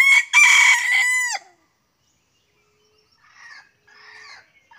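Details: A wild red junglefowl, one of two drawn in by luring, gives a single short crow, loud and harmonic, cut off abruptly after about a second; faint rustling and soft scratchy sounds follow.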